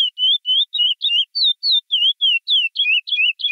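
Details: Chestnut-bellied seed-finch singing the classic 'praia' song, recorded directly from the bird without noise removal: a rapid run of clear, sliding whistles, about four per second, against a silent background.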